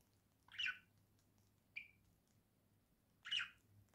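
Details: Pet budgerigar indoors, November 2024: three short harsh chirped calls, the first and last louder, spaced about a second or more apart over a steady low electrical hum.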